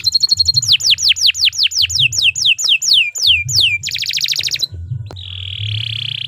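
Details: Canary's 'gacor panjang' masteran song: quick high ticks, then a regular series of descending whistled swoops about four per second, a dense buzzy trill, and a drawn-out even buzz at the end.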